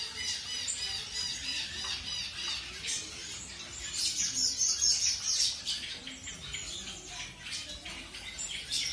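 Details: Colour-mutation zebra finches being paired, a bird newly introduced to its new mate; rapid high squeaky calls and chatter, growing denser and louder midway, in a small indoor space.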